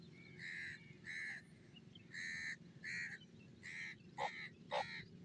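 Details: Grey francolin calling: seven harsh, nasal notes rich in harmonics in about five seconds, roughly paired and evenly spaced, the last two sharper and more clipped, over a steady low rumble of background noise.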